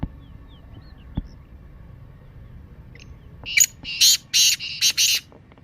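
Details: Calling of the black francolin (kala teetar) in 'masti' mood, used to stir captive birds into calling: near-silence, then a loud rasping phrase of one short and four longer grating notes.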